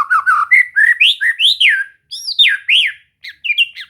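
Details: Rich song from a white-rumped shama during relaxed training to make it sing. Fluid slurred whistles run continuously, climbing and dropping, with some harsher squawky notes. A short break comes before a final few mixed phrases.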